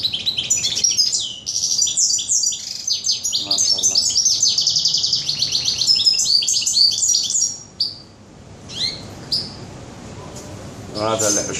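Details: European goldfinch singing in a bird shop, 21 June 2015: a long, fast, liquid twittering run of high tinkling notes for about eight seconds, then scattered short chirps and a final burst.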